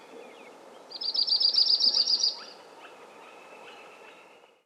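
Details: Yellow-rumped warbler giving a high, sweet trill of about a dozen quick repeated notes lasting just over a second, followed by several faint thin chips against soft background noise.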